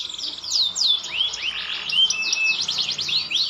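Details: Green canary, growing more mature, singing sharp looping whistles and quick V-shaped slurs in a fast varied run, with a faint low hum in the background.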